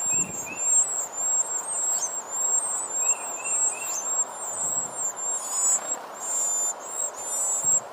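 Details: Nestlings begging while their mother feeds them: continuous shrill, very high whistles in wavering bursts, with softer lower chirps in short pairs now and then, against a steady background hiss.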